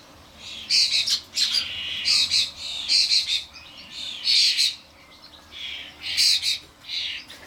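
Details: Adult common starlings (Sturnus vulgaris) bring their fledglings to a garden bird feeder with suet blocks, making a commotion. Harsh, rasping squawks come in quick irregular bursts, about a dozen in seven seconds, high and scratchy with short pauses.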